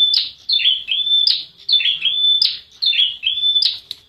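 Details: Clear prenjak wulung prinia calling: thin sustained whistles interrupted by sharp down-slurred notes, the pattern repeating at about one-second intervals with little else heard.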